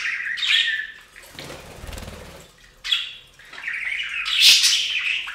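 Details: Budgies at a bath fountain warble and chirp in rough, high bursts, broken midway by a long splashing of water before a shrill squawk.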